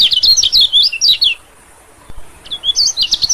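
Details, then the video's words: Short lure recording of white-eyes for attracting small birds: a rapid string of sliding, whistled high chirps, a second of quiet, then more quick looping twitters. "suara PIKAT PLECI #bagus untuk pikat burung2 keci #terutama burung KECIAL/PLECI"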